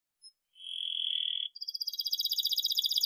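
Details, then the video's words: Canary song meant as a model for young canaries learning to sing: a steady high whistled tone, then a fast rapid trill of repeated bright notes. "kenari gacor panjang NEMBAK TAJAM ini ahlinya untuk PANCINGAN KENARI PAUD BELAJAR BUNYI"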